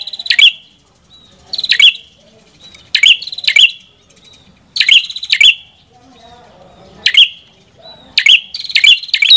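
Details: Ashy tailorbird giving scattered loud, high, stuttering chirps, singly or in pairs, separated by gaps of one to two seconds, with faint low background noise.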